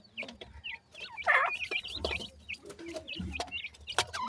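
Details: Young grey francolin chicks, kept and tamed, calling together: a busy mix of short, thin, high chirps and peeps, some rising or falling, repeated irregularly with a louder burst of notes near the middle.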